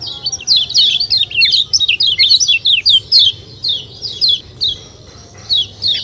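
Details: White-eye, locally kecial kuning, in a fast run of shrill, falling chirps forming a busy chatter, then a pause and a few isolated notes at the end.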